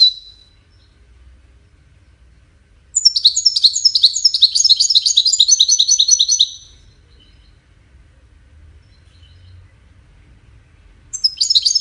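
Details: Melodious goldfinch song linked to courtship and communication: after a brief opening note and silence, a rich, fast twittering trill of high notes runs for nearly four seconds, with another burst starting near the end.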